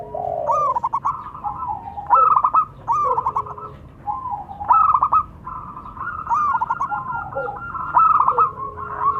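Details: Local zebra doves, male and female, in a calling duet: repeated bursts of quick stuttering coos about every two seconds, linked by steady trilled notes that carry through.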